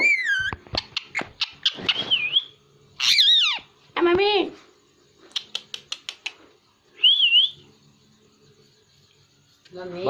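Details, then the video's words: Hindi-speaking pet parrot indoors, producing a wavering whistle, a run of clicks, then loud harmonic bent syllables and a later short trilled whistle, separated by quiet pauses. "Hindi Speaking And Talking Parrot"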